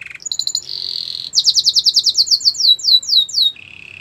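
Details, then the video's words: Training song of a canary: a few short bright notes, then a buzzy held trill, followed by a quick series of loud downward-slurred whistles, closing with a low, quiet rattling trill. "Melodies canary bird song"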